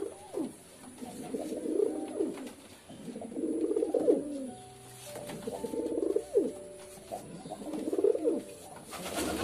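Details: Pigeon repeating deep, bubbling coos about every two seconds. Each phrase rises and then drops away, four phrases in all, with a faint steady high tone behind.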